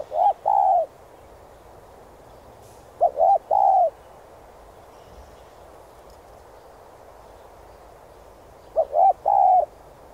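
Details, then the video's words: Spotted dove giving a driving coo used to train decoy birds: three low phrases spaced roughly three to six seconds apart, each a brief hoot followed by an arched coo and a longer held coo. "Cu gáy THÚC giọng sát bổi kích mồi tập bổi rất hiệu quả/chim cu đất gáy kích bổi,mồi nhanh gáy"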